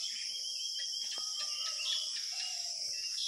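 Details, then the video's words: Bird chirping: thin whistled notes and short rising chirps scattered over a loud, constant high insect drone. "পাখির কিচিরমিচির শব্দ"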